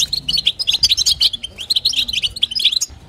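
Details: Batbata-style calling from a female European goldfinch meant to stimulate the male, continuous bright high twitters and buzzy chirps, slightly louder in the middle, soft hum beneath.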